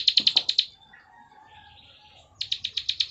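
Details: Plain prinia (ciblek sawah) giving klik song: a quick burst of sharp high ticking notes, a pause with soft faint sounds, then another rapid ticking series.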